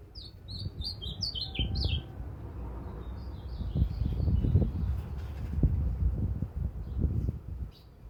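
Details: Ultramarine grosbeak song: a quick run of bright whistled notes falling and rising in a tumbling phrase, then a softer second phrase, over steady low rumbling noise and thumps.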